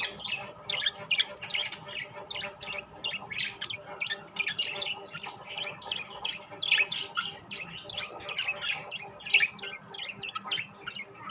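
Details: Rainbow and classic budgerigar flock chattering at length: rapid, clicking twitters and short scratchy squeaks repeated densely in a constant busy babble, with a faint steady high whine in the background.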